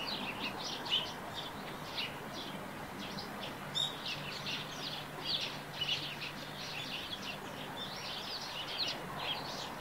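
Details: Singing Eurasian tree sparrow by its rooftop nest. Quick series of sharp, high chirps comes in bursts with short gaps, some notes overlapping as other sparrows join in. Quiet outdoor hiss sits underneath.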